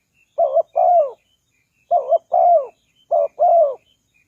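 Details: Spotted dove call used to lure wild doves: three paired phrases of low, mellow coos, each a short note then a longer, slightly falling one, repeated about every 1.5 seconds, with faint high chirps in the background.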